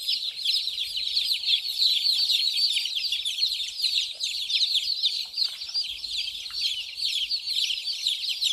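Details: A flock of small chicks running and drinking water, loud unbroken chirping of shrill, quickly falling peeps packed densely across the whole stretch.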